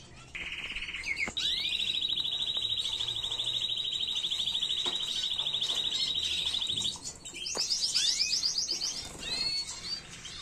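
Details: Error-free canary song used to train chicks: long sustained rolling trill held for several seconds, shifting pitch once, followed by a faster buzzy trill and short upslurred notes.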